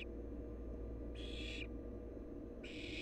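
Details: A wild barn owl chick in its nest produces two harsh hissing bursts about one and a half seconds apart, each roughly half a second, against a quiet low-pitched hum.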